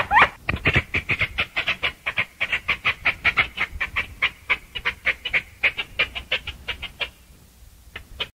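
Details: Chachalaca (aracuã) singing: a rapid, raucous run of harsh, evenly spaced notes, several per second, continuing for about seven seconds before trailing off into a few scattered notes.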